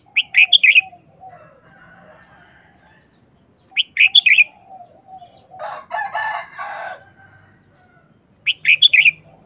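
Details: Red-whiskered bulbul repeats a short, snappy phrase of bright, bubbly whistles three times, roughly every four seconds. A harsh, noisy burst from another bird sounds in between.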